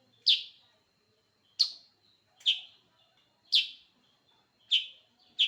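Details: Sooty-headed bulbul singing persistently: six sharp, bright chirps spaced about a second apart, each a quick downward slur with a short ringing tail.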